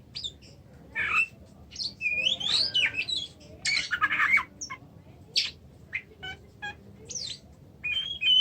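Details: Oriental magpie-robin in an extended varied song: whistled slurs, harsh scratchy bursts and sharp chips in quick runs separated by short silences, ending with a sustained high whistle, over faint low background noise.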